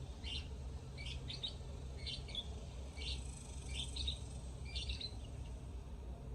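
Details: Lovebirds chirping in short clusters of two or three high notes, roughly one cluster per second, set against a continuous low hum.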